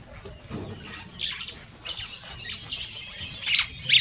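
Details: A White-browed sparrow-weaver in Kenya gives harsh, scratchy chatter notes, repeated about twice a second and getting louder toward the end, over a faint low rumble.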